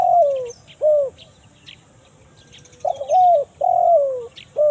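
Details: Lure recording of a spotted dove for finding wild birds in forest, 'kuk 1 mersik' call type: clear cooing notes sliding downward, a short pair, a quiet gap, then a run of four coos, with soft chirps above.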